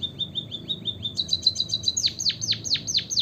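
A White-headed Munia sings thin, high notes: a quick run of short upslurs, then a denser trill, then steep descending whistles about twice a second.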